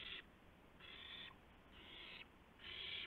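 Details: Owl on a live camera before dawn, April 2, 2016, as prey, a gopher, is handed over; four long, raspy, noisy hisses, each about half a second, in quick succession.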